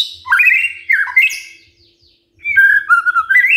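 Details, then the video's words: White-rumped shama singing in the morning to prompt other birds to answer: rising whistled phrases, a brief silence, then a long warbling whistle that dips and climbs again. "Pancingan PAGI-PAGI AGAR MURAI GACOR❗ murai diam pasti ikut NYAUT EMOSI❗❗"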